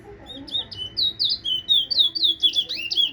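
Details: Towa Towa finch from Guyana whistling, giving a rapid string of high, slurred whistles and short sweeping notes, roughly one note every fraction of a second, with a faint low murmur beneath.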